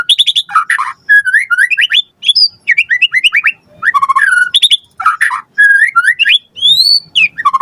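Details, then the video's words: White-rumped shama lure song, given to provoke another bird to answer: dense bursts of chattering notes and looping whistled slurs, phrases repeating about every second with brief gaps. "Pancingan Murai Batu Gacor Cepat RESPON Langsung NYAUT Jadikan Suara Burung Murai Gacor Full Isian"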